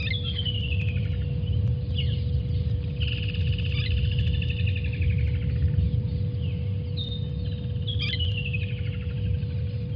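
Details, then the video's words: Water thick-knees at Djuma waterhole on 28 November 2020, chasing away vervet monkeys: shrill whistles sliding downward, a long held whistled phrase in the middle and another falling series near the end, set against constant low rumbling noise. "Water Thick-knees: How to chase away again, Vervet Monkeys"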